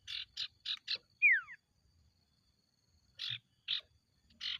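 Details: Ashy tailorbird lure song: four quick rasping buzzy notes, a clear whistle sliding steeply downward, silence, then three more spaced buzzy notes, clean and loud against a quiet background.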